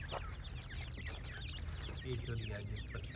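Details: Short run of francolin chicks' high, quick chirps overlapping one another, with faint low voices in the background toward the end.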